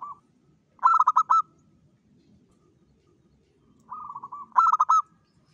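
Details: Dawn song of a local zebra dove, prolific singer, used to lure: rolling soft trills leading into loud quick stuttering coo bursts, repeated twice with a quiet gap between.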